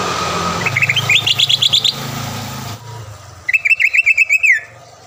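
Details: Vigorously singing green leafbird used as a lure to provoke a rival into singing: quick chains of rising chirped notes in two bursts, the first partly masked by steady low rumbling and hiss.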